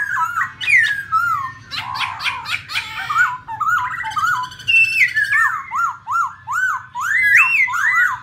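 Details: A female black laughingthrush sings with a male: loud, varied whistled phrases with harsh chattering bursts, then a run of rising-and-falling whistles about twice a second.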